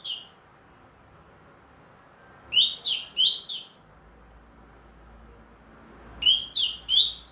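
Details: Captive Ring Kresek orange-headed thrush singing in the clear 'plong' style after its moult: two pairs of quick, jumbled, bright whistled phrases separated by a pause of about three seconds, with quiet surroundings.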